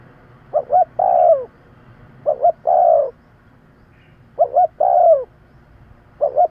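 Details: Spotted dove, used as a lure call for trapping birds, gives a quick two-note coo then a drawn-out descending coo, the phrase repeating roughly every two seconds.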